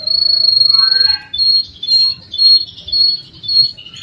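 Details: Captive-bred male canary singing a master training song: a high sustained whistled tone, a short rising warble, then repeated high whistled phrases in pulses about every half second.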